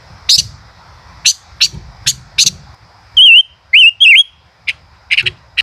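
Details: Male common rosefinch in 'chế cựa hai' song: a run of sharp clicking ticks, then three bright wavering whistled notes close together, followed by more brisk ticks and short chips.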